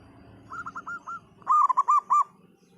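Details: Zebra dove of a local type in full voice: a soft run of rapid cooing notes, then a loud burst of four ringing, arched coos near one pitch over low background rumble.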